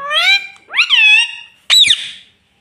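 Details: Pet ringneck parrot talking indoors, saying "mummy" and "mitthu": three clear, nasal, wavering syllables in a high voice, the last a sharp rising-falling cry, in a small quiet room.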